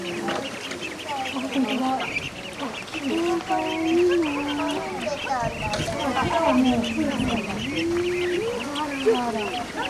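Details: Call duck ducklings, the world's smallest domestic duck, while sunbathing and bathing; many overlapping high, thin peeps rise and fall constantly, with lower drawn-out wavering notes every few seconds.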